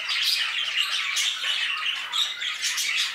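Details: Caged budgerigars in an aviary giving a lively stream of warbling chirps and squeaky whistles, several birds overlapping in constant bright chatter.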